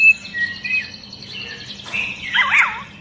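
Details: Long-tailed white-rumped shama singing agitatedly, stirring other shamas into song: high whistled warbles and a dense, looping burst of rapid twisting notes near the end, over a low steady hum.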